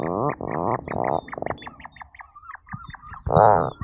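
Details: Tufted puffin making a series of short, pulsed, growling grunts. The grunts fade into scattered faint clicks, and a final louder groan ends the sequence.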